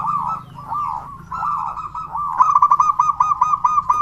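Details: Local zebra dove with a big, loud voice, used as a lure to get other zebra doves singing: mid-pitched coos that break into a fast, stuttering run of clipped notes in the final second and a half.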